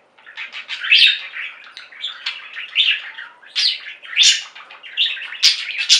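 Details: Budgerigars singing as a flock: continuous warbling chatter of bright chirps and buzzy squeaks, swelling in loud bursts roughly every second over a steady twittering background.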